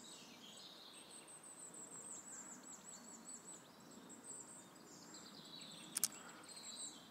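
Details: Firecrests in courtship display in woodland near Lage Vuursche, Netherlands, give very high, thin, needle-like notes in loose series over soft background, with other small birds chirping lower down and a sharp click near the end.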